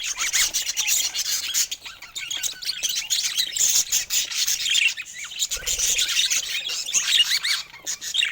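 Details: A group of colorful budgerigars kept as pets, giving a steady stream of busy, scratchy warbling and high twittering that runs unbroken for the whole stretch.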